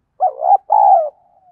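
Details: Spotted dove song played as a lure to provoke fighting: a wavering low coo and then a longer, level hoarse coo that fades into a soft, thin falling tail.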